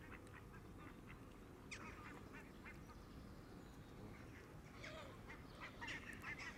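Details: Canada geese gathered at the water's edge to feed, close to a camera left running in the grass; a busy series of sharp honks, thickening toward the end, over constant low noise.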